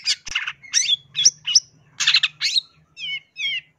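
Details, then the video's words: Long-tailed shrike song meant to lure wild birds: loud scratchy, chattering notes mixed with whistled upslurs, ending in two clear wavering whistles; a faint low hum runs underneath. "SUARA BURUNG CENDET JERNIH COCOK UNTUK PIKAT / PANCINGAN"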